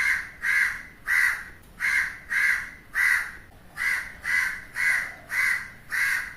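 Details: A crow caws loudly and steadily, harsh drawn-out calls repeated about every half second to two-thirds of a second, eleven in all, over a faint hiss.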